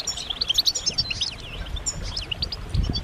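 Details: European goldfinch mating calls, used to prompt males to sing: scattered high chirps and slurred twittering notes, more spaced out, over low background rumble and a thump near the end.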